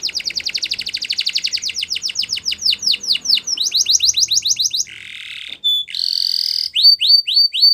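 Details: Morning song of a yellow canary: rapid repeated rising-falling syllables, about three or four a second, giving way to a low buzzy rattle, a brief pure whistle, a rolling trill and crisp sweeping notes.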